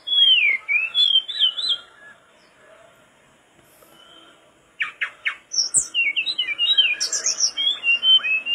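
Mangrove blue flycatcher singing bright, high, rapid phrases of sliding whistles and twitters, pausing briefly mid-song, then resuming with quick chirpy notes.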